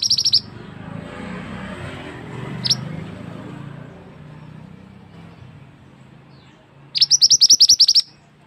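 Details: Male scarlet-headed flowerpecker, loud lure call for forest trapping: a brief burst of high ticks, one lone chip, a long quiet stretch of low hum, then a fast run of high, sharp chips near the end.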